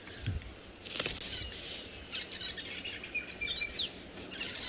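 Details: On a breezy November morning at a South African game reserve, an oxpecker flying over to land on a dead tree gives short, high, scratchy chirps scattered through the clip, over a steady soft breeze.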